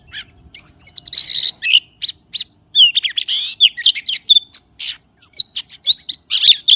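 A magpie gives a rapid, varied run of clear whistles, squeaky chirps and short warbled phrases, mostly high-pitched, with brief pauses between bursts.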